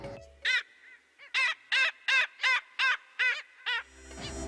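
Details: Black skimmer, seen along the north coast of the district near Bahía de los Vientos, Necochea and Quequén, Argentina; a run of about nine harsh, nasal barking notes repeated at a steady pace, with music fading in at the end.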